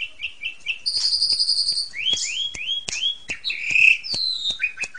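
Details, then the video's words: Asian pied starling song recorded as a tutor for juvenile birds: short repeated chirps, a long buzzy high note, upslurred whistles and scattered sharp clicks. "JALAK SUREN"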